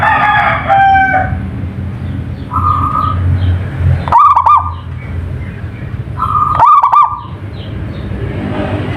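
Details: Local zebra dove singing prolifically: three soft, bubbly cooing phrases in the middle pitch range, spaced about two seconds apart. A louder, harsh, harmonic call from another source opens the recording, over a steady low rumbling background.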